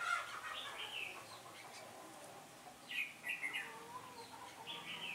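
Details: Decoy red-whiskered bulbul singing to draw wild birds toward a trap on a windy-change day, 15 October 2017; bright warbling phrases at the start, then two more clustered bursts with quiet gaps between.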